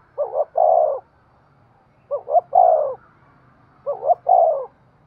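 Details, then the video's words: Breeding-stimulation cooing of a spotted dove, three phrases about every two seconds, each two quick short notes then a longer mellow coo that falls at its end, quiet background. "Tiếng chim cu gáy thúc gù cực đỉnh/ chim cu gay kich boi hieu qua"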